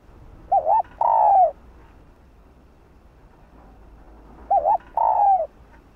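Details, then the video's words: Spotted dove hen calling a male: two identical phrases four seconds apart, each a quick wavering double note followed by a long, drawn-out, falling coo. "Chim cu gáy thúc trống,gọi trống đưa trống lên đỉnh | cu mái gáy"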